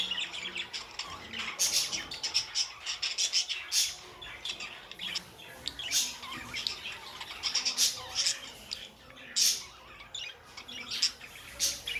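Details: Budgerigars kept as pets give a steady stream of scratchy chirps and rasping squawks, sharp spikes every second or so, several birds overlapping throughout.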